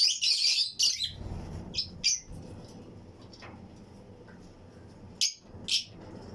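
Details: Fischer's and lutino lovebirds in a breeding colony flight cage; a loud harsh chirping burst opens, followed by a few sharp separate high chirps spaced widely apart with near-quiet stretches between.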